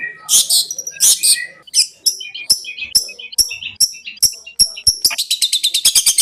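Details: Long-tailed shrike master song in the konslet style for teaching birds: a few harsh grating bursts, then sharp clicking chips about every half second, ending in a rapid high trill.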